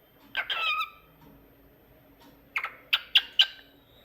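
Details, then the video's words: A singing pet cockatiel gives a short, raspy warbled phrase, then after a pause a quick burst of notes followed by three sharp, bright chirps about a quarter second apart. "Cockatiel Talkative Bird 🕊️ Rio Adorable Singing"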